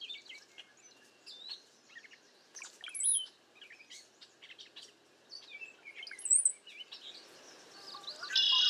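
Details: A flock of cowbirds in bad weather and strong wind, with overlapping gurgling notes, short chirps and thin high whistles from several birds, and a loud rising whistle near the end.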